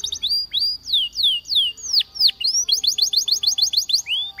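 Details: Waterslager canary song for training canaries: a clear run of loud downslurred whistles, then rapid regular upslurred notes at about three per second, pure and high-pitched, with little background noise.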